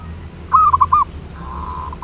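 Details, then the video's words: Local zebra dove used as a lure to provoke singing, giving one short cooing phrase of four rapid low notes, followed by a fainter drawn-out coo, over a low background hum. "Perkutut lokal PANCINGAN SUARA NGAYER NULOP ampuh merangsang cepat EMOSI BUNYI GACOR"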